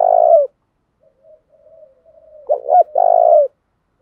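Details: Spotted dove giving an urging 'thúc' coo to stir wild doves into cooing: a long purring note, soft murmured coos, then two sharp short notes and another long purring coo.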